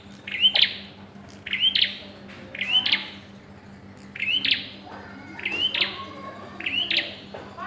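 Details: Bar-winged prinia calling while pairing: upward-sweeping whistled notes with buzzy tails, about six in the span, loosely spaced. Softer fragmentary notes from another bird and a low hum are also audible.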